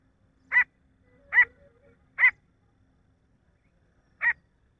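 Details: Male grey francolin call: four loud ringing harsh notes, three about a second apart, then one more after a two-second pause, over a quiet background.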